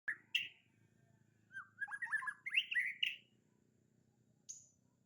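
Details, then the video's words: White-rumped shama song, a short burst of rising whistled and slurred notes in a quick run around the middle, with a brief high thin note near the end and a low steady hum beneath. "Kicow burung murey juara"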